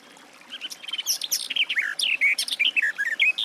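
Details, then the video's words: A garden warbler's song builds from near silence into a quick, babbling run of rising and falling warbled notes. "Warbler garden, birdsong"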